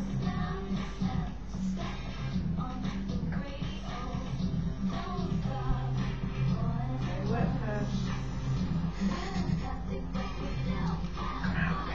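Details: Music with some speech indoors, and no clear animal voice.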